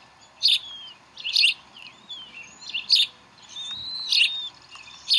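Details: Bald eagles at their Decorah nest while chicks are fed, 11 April 2012. Harsh high chirps repeat about every second, mixed with thin sliding whistles in the background.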